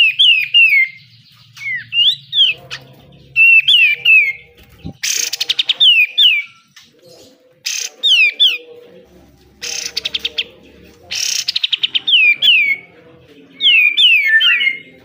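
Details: Energetic besetan song of a pied triller, known locally as kapas tembak and used as training material for caged birds: repeated downslurred whistles mixed with harsh buzzy bursts and quick trills, with faint low background noise.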